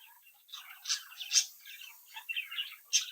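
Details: Home-raised budgerigar chicks, captive, chirping and singing together: soft start building into scratchy warbled chirps with a few loud sharp clicks, the last near the end.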